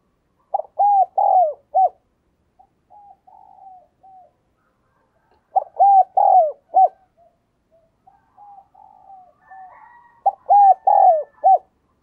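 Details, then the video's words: Decoy spotted dove calling to draw in wild doves: three bursts of rapid, rounded coos, each burst followed by softer, lower drawn-out murmurs before the next loud run. "Chim Cu Mồi Thúc và Gáy Gọi Bổi"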